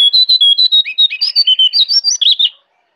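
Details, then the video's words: Energetic jongkangan song from forest at Kintamani, Bali: a fast run of about sixteen clear, high, whistled and chirping notes, varied in pitch, delivered rapidly for two and a half seconds, then silence. "Jongkangan Gacor Dari Hutan Kintamani, Bali"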